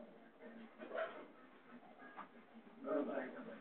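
An Indian ringneck parakeet talks in a raspy, human-like voice, with two louder bursts of speech-like phrases over a faint room background.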